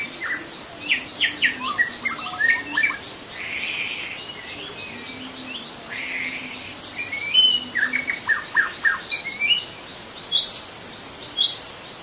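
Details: In forest, a young wild white-rumped shama gives scattered phrases: clusters of sharp notes, brief whistles and chattering bursts separated by pauses, all over a persistent high insect hum.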